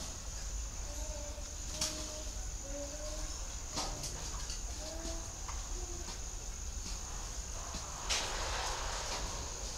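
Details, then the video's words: Spotted dove giving a series of short, soft, hollow coo notes in a broken rhythm. A continuous shrill insect drone and faint rustling sit behind it. "Cả video chim cu thổ đồng xịn chi đẳng cấp nhất"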